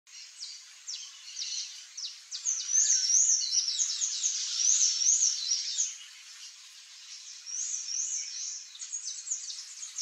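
Sayaca tanager giving a high, thin run of squeaky, twittering notes with quick rising-falling slurs, set against a steady hiss of insects.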